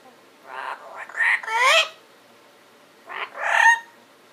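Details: A parrot talking in its sleep, uttering two bursts of squawky, voice-like syllables with rising and falling tones, a longer phrase of several parts followed after a pause by a shorter one, in a quiet room.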